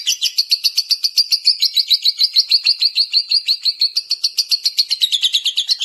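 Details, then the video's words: A lovebird sings a fast, steady series of sharp, high chirps, about three per second, with no other sounds. "BURUNG LOVEBIRD"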